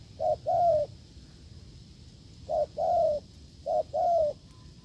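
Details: A wild spotted dove cooing forcefully in the field after a decoy test failed: three separate two-part phrases, a brief hoot followed by a longer wavering coo, spaced about 1.5 seconds apart.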